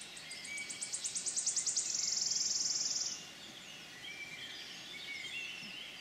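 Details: Wood warbler singing in the Forest of Dean on 6 May 2018: a series of accelerating high ticking notes speeding into a dry shivering trill lasting about a second, followed by quieter distant bird calls.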